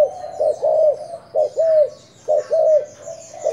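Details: Spotted dove used as a decoy bird, Thailand line, giving mellow low coos, a short note followed by a longer, gently arched one, repeated in steady groups roughly every second over a quiet background.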